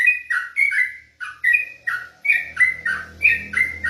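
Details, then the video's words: Olive-backed tailorbird at night giving clear whistled notes that drop in pitch, delivered in quick pairs about every half second, with a faint low hum behind. "ropelAn trucuk malam hari"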